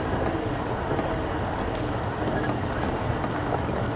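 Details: Steady vehicle engine rumble with wind buffeting the microphone, a broad, even roar throughout and no animal calls.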